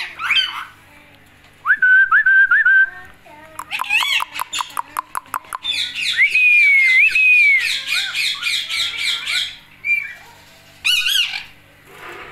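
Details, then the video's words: Pet Indian ringneck parakeet, talking: short whistles, a burst of rapid clicking, a long warbled speech-like phrase, and brief squawks between quiet gaps. "Talking Talking Talking | Indian Ringneck"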